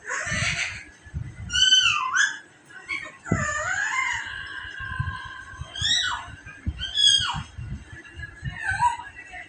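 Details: Pet parrot learning new words: bursts of harsh, harmonic squawks and slurred, word-like calls with sharp rising-then-falling inflections, spaced every one to two seconds, over soft low thumps and handling noise.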